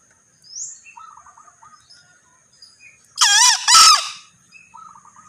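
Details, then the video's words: Male green junglefowl crows once, a sudden loud, hoarse two-note call, after several faint, thin chirps from other birds in the background. "Suara Ayam Hutan Hijau(Jantan)"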